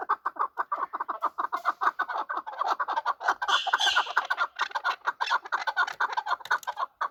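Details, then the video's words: Chukar partridge, called chakor, fighting; a dense run of harsh, clucking chuk notes repeated rapidly and overlapping, strong in the lower-middle range, with a brief brighter burst midway. "Chakor fighting and making voices / chakor ki awaz / chakor calling / chakor voice"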